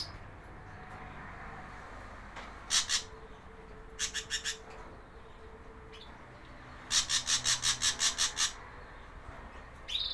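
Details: Javan ashy drongo lure recording for wild birds: harsh rasping notes in quick clusters, one long run of about eight scratchy bursts in steady rhythm, with a faint low hum behind.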